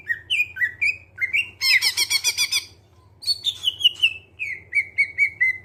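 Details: Greater green leafbird in clear voice, a lure for getting birds to sing: upslurred whistled notes, a loud buzzy rattling burst, then a long run of repeated descending whistled notes, over a low hum.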